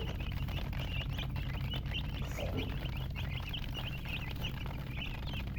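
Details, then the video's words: Chicks peeping, thin high chirps scattered and partly masked by a loud constant low-pitched hum with faint clatter. "MURGI Baby "Chicks Chirping" Sound"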